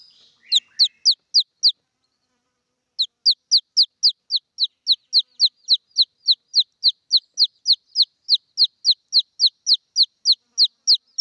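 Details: Young red junglefowl crying for its mother, giving a brief burst of sharp descending peeps, then after a short gap a long, steady stream of them at roughly three per second.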